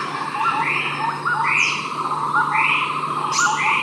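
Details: At Ijen in East Java, Indonesia, a Javan scimitar babbler gives arched, slurred notes roughly every second, with a constant insect hum beneath and a few thin high chirps from other birds.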